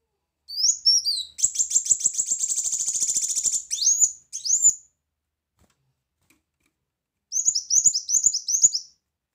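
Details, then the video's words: High, sharp notes from a brown-throated sunbird, opening with slurred whistles into a long dense buzzing trill of rapid chirps, then a silence and a closing quick series of thin descending twitters; loud 'tembakan' delivery. "Kolibri Wulung Gacor Tembakan Keras"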